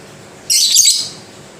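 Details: A lovebird, said to sing softly but surely, delivers a single half-second burst of very high, rasping, tightly packed chatter that fades out, against a quiet background.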